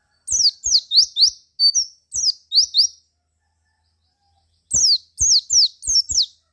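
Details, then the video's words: White-eye song used to provoke other white-eyes into singing: quick bursts of high, sharply slurred whistled notes in rapid series, pausing between phrases, with faint low clicks. "Suara Pleci Ini Menggoda Pleci Lain Menjadi Lebih Gacor"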